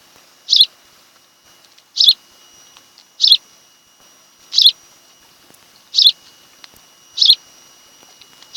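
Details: Nesting osprey on Kent Island, Maryland, one of a mated pair, nest camera, 26 July 2018 afternoon; six shrill chirps spaced about one to one and a half seconds apart, with a faint electrical hum.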